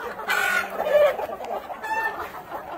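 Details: Black Copper Marans chickens at a hatchery breeding farm, giving short clucks and brief squawky notes in quick succession.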